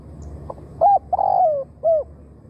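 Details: Spotted dove used to attract wild doves, delivering a single phrase: a soft lead-in note, a hooked note, a long vibrating coo gliding down, and a last arched note, over low background rumble.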